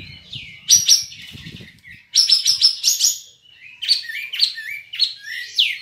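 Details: Olive-winged bulbul (kapas tembak), a contest bird from Singkawang, West Kalimantan. It sings rapid high chattering notes, then a pause, then descending whistled slurs. Soft low knocking sounds are audible early on.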